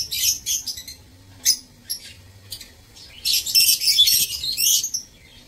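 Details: Breeding aviary lovebirds, recorded 15 April 2024, give scattered shrill chirps, then a loud, overlapping flurry of high squeaky calls from several birds.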